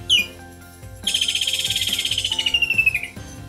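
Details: Stork-billed Kingfisher: a sharp opening note, then a long, fast run of repeated pulses falling steadily in pitch, set over soft background music.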